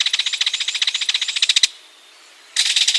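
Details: Rapid, harsh rattle from a ringed kingfisher, about a dozen clattering notes per second for over a second and a half, a short silence, then the rattle starts again.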